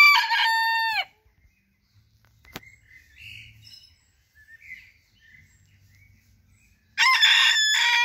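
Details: Two Booted Bantam (sabelpoot) roosters. A harmonic crow ends with a downward slur, then six seconds of near quiet with faint chirps of small birds, and a second loud crow starts, cut off at the end.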